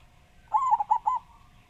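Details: Single phrase from a loud local zebra dove (perkutut) of Java: a slurred first coo followed by three quick rounded notes, all within under a second, over a soft steady hum.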